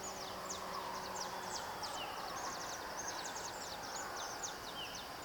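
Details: Maritaca parrots, which live in flocks and call to keep contact, warn of danger and mark presence, give rapid, overlapping harsh screeches, as from several birds calling at once, over a steady hiss of background noise.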